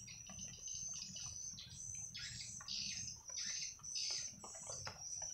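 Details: A flock of swiftlets returning to their roost house twitters constantly, with a steady high insect-like whine and low background rumble.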